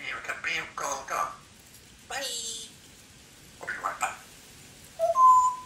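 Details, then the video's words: A 3-year-old female pet Congo African grey parrot talks at home in short, speech-like phrases with harmonic, voice-like syllables, followed by a clear, pure whistled note. "African Grey Talking Parrot"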